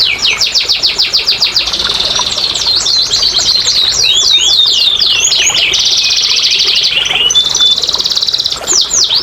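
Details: Song of a canary played to get lazy canaries singing: dense rolling trills, tangled swooping notes and long buzzy rattles, changing phrase every few seconds, loud and continuous.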